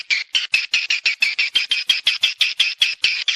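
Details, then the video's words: Rhythmic swiftlet chirps played to attract birds to a nesting house, each short, harsh and high, repeated roughly four times a second at an even pace. "SUARA PANGGIL BURUNG WALET MENGAWAN ASLI / HOW TO CALL SWIFT BIRDS"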